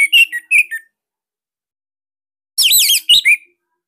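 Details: Bali orange-headed thrush in a cage, recorded as master song for other thrushes: a short burst of quick chirpy notes, a pause, then a loud warbling, wavering whistle with a few chips.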